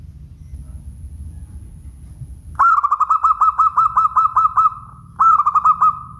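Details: Local zebra dove singing a quick run of about ten clipped, evenly spaced cooing notes, then a second shorter burst of several more, with a low rumble underneath.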